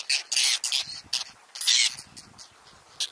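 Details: Whiskered terns at a nesting colony on water chestnut and lotus beds in the Astrakhan State Nature Reserve, Russia, on 22 July 2017, adjusting their nests. Harsh, rasping calls come in short bursts, some overlapping.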